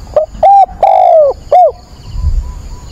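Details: Spotted dove kept as a decoy, calling at dawn on 22 October to stir up and train another bird; one loud phrase: brief coo, two short coos, a long drawn note falling at the end, a last short coo, then low rumble.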